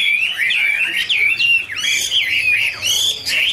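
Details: Chinese hwamei in duet, dancing with wings spread: loud, ringing whistled notes, each sliding up or down, delivered in short phrases with some piercing high overtones.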